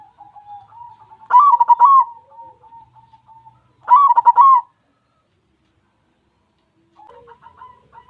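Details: White zebra dove singing repeatedly: quiet level coos, then two loud, bright bursts of rapid staccato notes about two and a half seconds apart, and a softer phrase after a pause.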